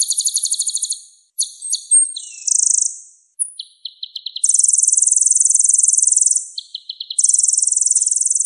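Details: Energetic sunbird song used as training audio for songbirds, varied and high: stuttering trills, a thin whistle, short runs of lower chips, then long, dense, buzzing high trills lasting about two seconds each.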